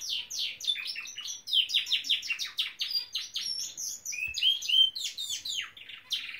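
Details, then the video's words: Pet Norwich canary singing indoors: rapid runs of high descending chirps and trills, shifting into sustained whistled notes and quick buzzy phrases, continuous and varied throughout. "the Nowrich Canary singing!"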